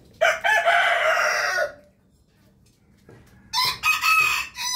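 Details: Rooster crowing in the morning: one long, hoarse, sustained crow, a pause of about a second and a half, then a second crow begins in choppy, high-pitched bursts.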